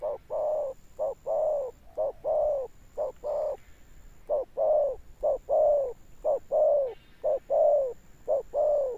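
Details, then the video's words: Deep 'thunder-tone' cooing of a spotted dove, praised for a long-lasting finish: loud, hollow, low coos in clipped pairs, roughly one each second, over a thin constant high electronic tone. "Gù Âm Sấm_ Nước Tiền Bổi kèm dậm nghe chỉ có phê. Gù Hậu Bền Bỉ."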